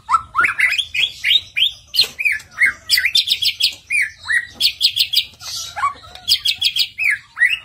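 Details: White-rumped shama singing as a lure to draw out a loud, full-repertoire performance: a fast, varied stream of rising and falling whistled notes mixed with quick rattling trills, hardly pausing.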